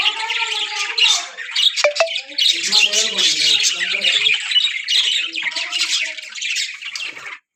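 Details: Budgerigar breeding colony, with constant overlapping squawks and twittering and some lower warbled notes mixed in, all fading out abruptly at the close.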